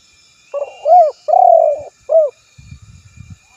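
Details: A spotted dove (tekukur) delivers a single coo phrase of arched, sustained and arched notes, followed by soft low rustling sounds.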